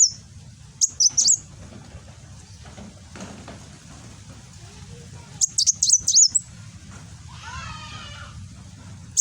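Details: Kolibri wulung sunbird in a cage, Gresik, East Java, 'nembak' style: two widely spaced bursts of sharp, very high chirps amid a quiet stretch with faint rustling and a low-frequency hum; phone recording.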